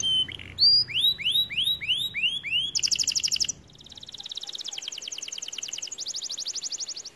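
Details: A white canary sings a string of loud rising slurred whistles, then a harsh buzzy trill, fading into a softer, rapid pulsed trill.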